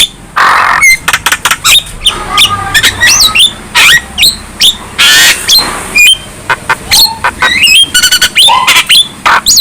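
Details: Energetic song of a young Javan myna, head bobbing, said to rouse other birds to aggression: rapid chatter of sharp clicks, grating squawks and upward-sweeping whistles running almost without break.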